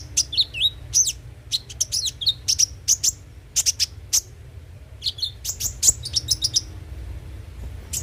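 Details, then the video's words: Van Hasselt's sunbird song played as a lure to make the bird sing: bursts of very high, sharp chirps mixed with short wavy twittered phrases, separated by brief pauses, with a steady low hum. "pancingan suara burung KONIN agar rajin bunyi tiap hari"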